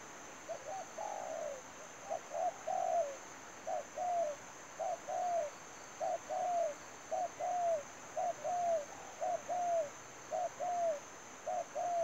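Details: Spotted dove used as a decoy for trapping, giving low, mellow cooing phrases over and over across the recording. Each phrase has short coos and then a longer falling note, over a steady high-pitched whine.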